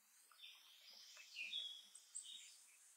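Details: Thin, high chips from a shining sunbeam hummingbird in Los Nevados National Natural Park, Colombia: a few sharp notes scattered over three seconds, against a steady high hiss of background noise.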